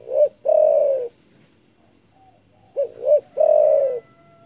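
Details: Spotted dove, kept as a frequently calling bird, giving its loud, deep call meant to provoke rivals: two short hooting notes followed by a long drawn-out coo, repeated twice in a quiet setting.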